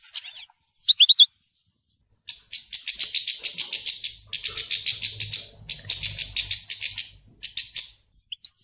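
A European goldfinch gives two brief tinkling notes, then a long, fast run of high, liquid twittering and buzzy trills, broken by short pauses.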